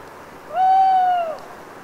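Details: After a long autumn rainfall in a wood near Les Assions, Cévennes foothills, a solitary owl sings in the dead of night. One clear, prolonged, even hoot, lightly rising then sliding down at its close, with faint dripping hiss behind.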